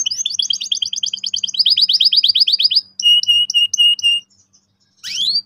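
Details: Canary in full song, used as a lure so young canaries start rolling sharply: fast buzzy trill rows at two pitches, then a quicker rising-note trill, separate whistled tones repeated about twice a second, and a final upward sweep.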